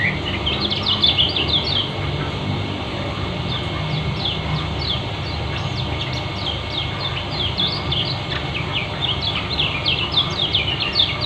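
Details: Lombok white-eye called kecial kuning, singing ngeriwik speed rapat for therapy: very rapid, packed chirps with fluttering high notes from start to finish, loudest at the opening and close, over low rumbling noise.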